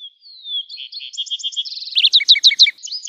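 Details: A lark sparrow gives a thin descending whistle, then a run of pulsed trills and emphatic repeated chirps that grow louder toward the end.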